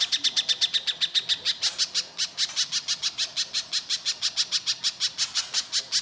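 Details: Little spiderhunter song used as a lure to draw other birds into singing: a steady run of sharp, high, clipped notes, about four or five per second, continuing for the whole stretch with no other sounds.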